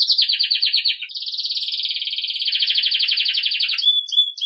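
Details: Belgian canary song for teaching young birds: fast pulsed trills run together without break, a slightly higher roll giving way to a long even rattle, ending with a few thin notes.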